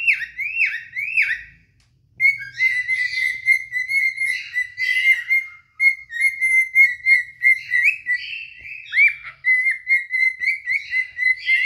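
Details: Courtship song of two adult cinnamon cockatiels serenading each other: looping whistles open, then a long, mostly level whistled line broken by warbles and brief pauses, with a faint low hum beneath.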